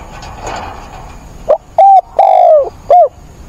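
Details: Decoy spotted dove cooing during a rainstorm on 28 October: after a short soft note comes one loud, hoarse phrase of three strong coos, the middle one long and sliding downward, recorded very close and slightly distorted.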